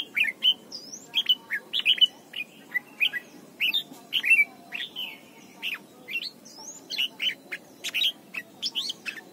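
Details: A red-whiskered bulbul in Thailand sings bright, bubbling whistled phrases of a few quick notes, about one phrase a second, over faint hiss; the clip is song-training audio for young birds.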